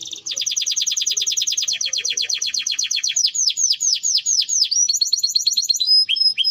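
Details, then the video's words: Timbrado canary delivering a fast high trill that slows into a series of downward-swept notes, then short whistled phrases, clear and loud. "Timbrado canary singing beautiful melody"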